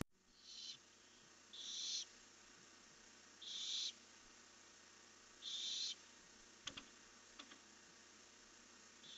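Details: Barn owl screeching at night, captured by a nest camera on 1 July 2015 as the owls fly off: four long, harsh hissing shrieks roughly every two seconds, then a few sharp knocks and a fifth call beginning.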